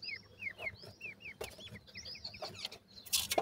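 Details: Feeding francolin chicks utter evenly spaced thin peeps that fall in pitch, about three per second at first, then a jumble of overlapping cheeps with sharp knocking and scraping noises.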